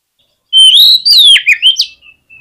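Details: Oriental magpie-robin (kacer) singing a combative song meant to provoke rival birds; after half a second of silence comes a loud, continuous whistled phrase that glides up and down, broken by quick sharp notes and ending in a rising slur.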